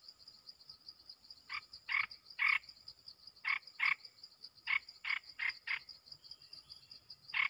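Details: Caged bulbul singing in response to wild birds: short, bright phrases in quick clusters of one to three, each with a clear whistled note, over a steady high insect drone.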